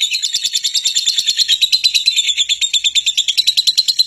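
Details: Fighting lovebird's call used to bait other lovebirds into answering with long song. A shrill, rapid, pulsing chatter, high and steady, continues without pause.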